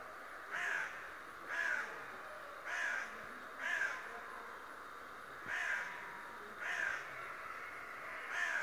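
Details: Harsh, grating calls from a raven described as talking and spying daily, repeated about every second in a steady series of eight, with constant low hiss behind.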